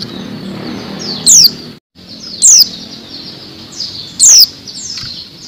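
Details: A female oriental white-eye gives three thin, very high notes, each sliding quickly downward, a call used to lure and stir male white-eyes into singing.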